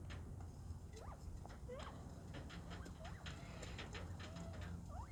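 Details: Pet quail in an aviary, calling a lot on February 14, 2024: scattered soft, short whistled notes that bend up or down, repeated irregularly over a steady low hum.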